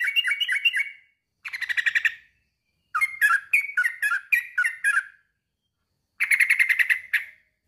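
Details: Male sooty-headed bulbul calling to a rival: short bursts of rapid, bubbly, slightly buzzy notes, each burst lasting about a second, with brief silences between four bursts.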